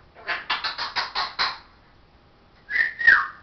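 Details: Pet parrot mimicking speech: a quick burst of six raspy, evenly spaced syllables, a pause, then a bright whistled phrase bending up and down.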